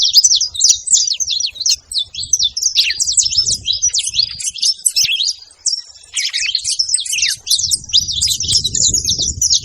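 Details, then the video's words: Saffron finches calling as a group, a busy tangle of bright, high chirps and short slurred notes overlapping continuously, with a brief drawn-out note near the middle and soft low background noise. "canário da terra junto fazendo barulho"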